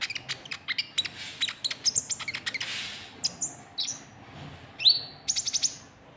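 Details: White-cheeked bulbul calling to lure rival birds, with a fast series of sharp ticking chirps, a burst of hissy noise midway, then a few bright rising whistles near the end.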